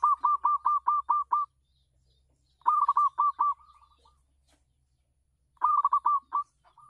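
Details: Zebra dove of local stock performing on a home terrace, used to attract other doves; strings of six or seven quick, evenly spaced cooing notes, ending in softer trailing coos, repeated three times.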